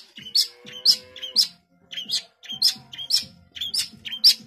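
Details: [3, "Long-tailed shrike in lively gacor song, 'tembakan rapat' style: paired high chirps and whistled slurs in quick clusters, about two a second, with a brief pause midway and a faint low hum beneath."]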